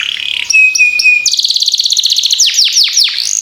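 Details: Canary singing as a lure for other canaries: a steady high whistled note, then a fast buzzy trill, ending in several loud downward-sweeping notes.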